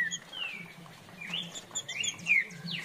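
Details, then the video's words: Green-winged saltator (trinca-ferro) singing the farrapo style, a series of clear whistled notes sliding downward, interspersed with short high chips, with a faint low hum beneath. "Trinca Ferro Farrapo"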